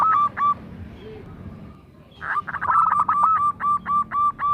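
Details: Local zebra dove acting as a song lure for other doves: two short coos, a quiet gap, then a rattling start leading into regular staccato cooing notes.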